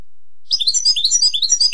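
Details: Short burst of European goldfinch tutoring song for young birds, a dense, bubbling tumble of high, sweet twittering notes.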